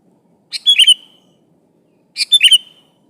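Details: Two matching phrases from a lively sooty-headed bulbul calling a rival, about one and a half seconds apart, each a tight burst of quick bubbly notes ending in a falling whistled tail.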